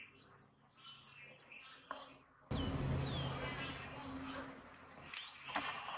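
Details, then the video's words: A house wren singing in El Retiro, Antioquia, Colombia, on 30 June 2021, in quick bursts of high, twittering chirps and short trills, with a steady low background hiss through the second half. "CUCARACHERO CANTANDO"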